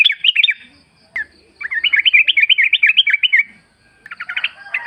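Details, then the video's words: Sooty-headed bulbul singing in the wild forest, a lure to draw replies. A long run of rapid, bouncy rising-and-falling chirps, then a short series of clipped notes. "pancingan trucuk gacor ngalas full suara alam"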